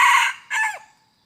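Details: Red junglefowl crowing during decoy hunting on 2-11-2021: a loud, harsh opening burst, then a brief gap and a shorter falling final note that fades quickly, with no other sounds.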